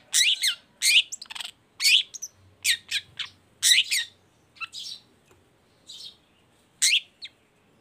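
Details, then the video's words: A long-tailed shrike, used as a lure recording to get other shrikes singing, gives loud, harsh chattering and scratchy phrases at high pitch, about one burst per second, with brief quieter notes between. "CENDET GACOR❗PANCINGAN CENDET BAHAM EFEKTIF BUNYI SANGAT COCOK BUAT CENDET LAINYA AGAR IKUTAN BUNYI"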